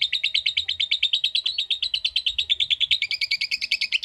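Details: Lovebird giving a rapid ngekek trill: a steady, even train of harsh, high chattering pulses, rising slightly in pitch and getting sharper over the last second.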